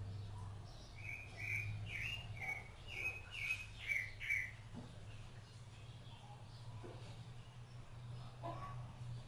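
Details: Rufous-bellied thrush while feeding its chicks: a run of short, clear slurred notes repeated about twice a second for several seconds, then quieter scattered notes over a low steady hum.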